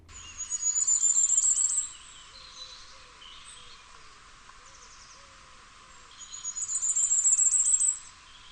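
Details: Firecrest (Regulus ignicapilla) song, in the New Forest, Hampshire, England: two bursts of very high, thin notes, each a quick accelerating run of about a second and a half, about five seconds apart, over quiet background hiss.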